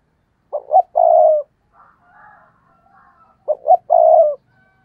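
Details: Stuttering 'gù cà lăm' coo of a decoy spotted dove meant to provoke rivals: two phrases of two clipped notes and a drawn-out low coo, with faint muffled cooing between them.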